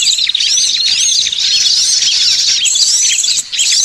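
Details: Lure recording of many small birds calling together: dense overlapping high chirps, thin whistled slurs and rapid twitters, loud and continuous throughout.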